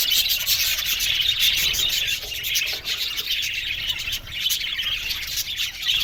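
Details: Budgerigars, Australian budgies kept as a colony in an aviary: a dense, unbroken wash of high chirps, tweets and warbling chatter from many birds overlapping, with brief sharper peaks throughout and no other clear sounds.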